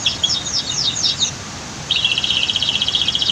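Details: Brief canary song: a few quick bright double notes, a short pause, then a tight buzzing rapid trill, recorded for masteran training with waterfall and dam noise in the background.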